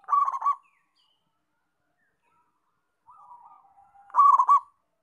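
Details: Local zebra dove singing actively: a loud, rapid cooing phrase of soft rolled notes, repeated about four seconds later, with faint, softer coos between the phrases.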